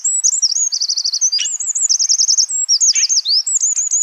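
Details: Eurasian wren in the wild: dense, high-pitched song of rapid rattling trills alternating with sharp downslurred whistles, continuous and loud throughout.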